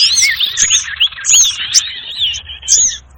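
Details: Trapping lure sound of the sirtu bird, with quick overlapping whistled upslurs and downslurs and scattered high sharp chips in a crowded, chattering texture.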